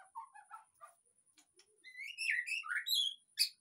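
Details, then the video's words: Lure song of a white-rumped shama meant to make a reluctant caged bird sing: soft low chirps at first, then a loud flowing run of bright, warbled whistles ending in a sharp high note. "pancingan suara murai batu//agar cepat ngeplong"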